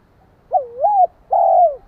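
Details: A spotted dove calls to stir up another dove: a mellow coo bends down and back up, then a pause, then a sustained, gently falling coo. The setting is quiet, with only a slight low rumble.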